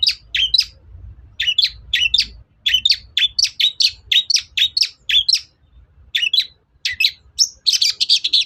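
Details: Long-tailed shrike song used to provoke other shrikes to respond: quick runs of scratchy, double-peaked chirps with brief breaks, finishing in a dense burst of harsh twittering, over faint low hum.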